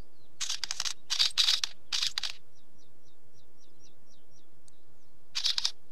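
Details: Harsh, rattling wheatear notes come in several quick bursts, then stop while a distant bird gives a steady series of thin high ticks, before one more raspy burst ends the passage.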